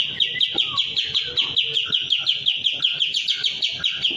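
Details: Breeding kapas tembak with spread tail delivering a continuous rapid chatter of bright ringing notes, nearly three per second and unbroken throughout, with faint lower squeaks underneath.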